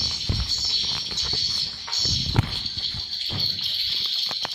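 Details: Roosting calls of swiftlets inside a seven-month-old swiftlet house, a steady high twittering chorus of many birds overlapping, with scattered low knocks and thumps underneath.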